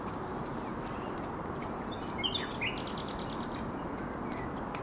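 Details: Common nightingale singing on a small spit on the Żerań Canal, 30 April 2021: a thin high whistle, short chirps and slurred notes, then a rapid series of about eight sharp repeated notes, over a steady low rumbling background.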